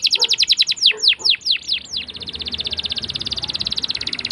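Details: Canary rolling song for teaching young canaries: a run of downward-swept chirps followed by a long, very fast even trill of high notes.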